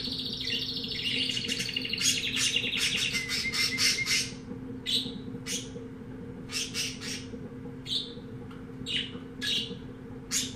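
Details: Canary, type unknown, singing indoors: an opening rapid rattling trill followed by a run of separate sharp clicking chips spaced about half a second apart, over a low background hum.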